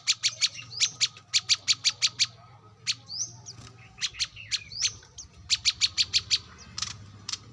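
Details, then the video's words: Wild brown-throated sunbird recorded outdoors for use as a lure: bursts of quick high chipping notes with rising whistled slurs between them, over a steady low background hum. "kolibri kelapa | manggar | wiceh | pancingan korlap dengan suara asli alam liar gacor"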